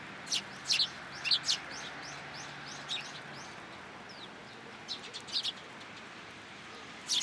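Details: A group of sparrows visiting cherry branches at a Tenmangu shrine to be fed, rainy day in March 2023; bursts of sharp, high chirps, several quick notes in clusters with pauses between, against a constant background hiss.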